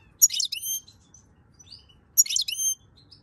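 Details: In May 2022, a European goldfinch warming up its song gives two quick bursts of bright, tinkling twitter mixed with thin high whistles, about two seconds apart; otherwise quiet.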